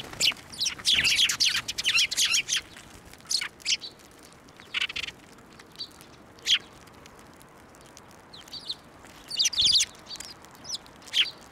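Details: Sparrows taking food from a hand at a Tenmangu shrine on 11 March 2024; a busy cluster of chirps early, then sparse single chirps and short bursts with quiet gaps.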